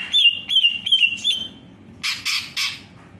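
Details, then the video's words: Four clear, evenly spaced whistled notes from a greater green leafbird, each a brief downward slur, then a short pause and three rough, hissing bursts. "Beautiful singing bird Greater green Leafbird / Sound of Leafbird"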